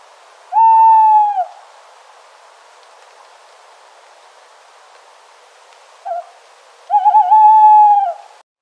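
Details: Owl sounding in a natural setting: a sustained level hoot, a long gap of soft hiss, then a short note and another prolonged hoot with a wavering beginning.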